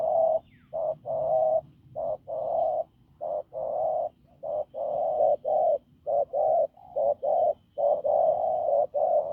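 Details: Hoarse, hard cooing of a trapped field spotted dove: roughly sixteen low, muffled coo notes, short and longer ones mixed, tumbling in an irregular series with brief gaps, and little else heard.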